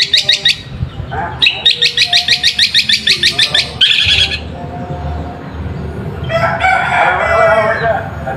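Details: Long-tailed shrike song meant to stir silent shrikes to reply. Quick, regular runs of scratchy notes repeated about three times a second, then a softer, noisier warbling passage toward the end.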